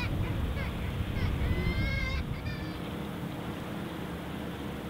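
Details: Kittiwakes at their nesting colony on Mumbles Pier, Swansea, South Wales, give a few nasal, wailing calls in short bursts over a strong, steady rumble of surf and wind.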